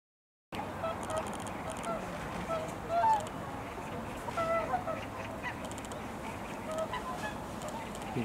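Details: Wintering flock of whooper swans in Korea, a loud group visiting a neighbourhood wetland or riverside in winter; many soft, overlapping nasal honks sound from several birds at once over a steady background hiss.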